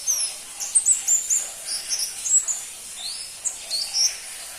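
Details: High-pitched, thin twittering from a crimson-breasted flowerpecker (pentis pelangi). Rapid sharp ticks and short slurred whistles come in loose clusters, with one lower, rising note near the end.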